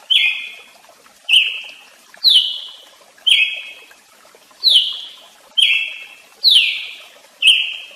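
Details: Brazilian tanager (tiê-sangue) in a steady series of eight bright, sharp notes about once per second, each decaying slowly; several notes start higher and glide down.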